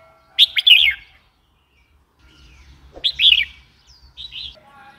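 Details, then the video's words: Red-whiskered bulbul giving two bright, chirpy whistled phrases about two and a half seconds apart, each a quick warbling cluster of rising and falling notes, with a faint low rumble underneath. "Red whiskered bulbul call 04"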